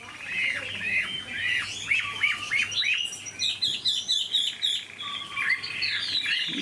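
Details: Caged Chinese hwamei with a large body, singing: a fast series of arched, slurred whistles, then scattered higher notes and a sustained whistled tone, over a low hum.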